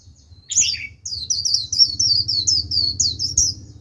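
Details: A white-eye kept as a lure to attract wild birds gives its rapid 'líu' warble: a quick downslurred opener followed by a fast, even run of high, sweet twittering notes, with a low background hum.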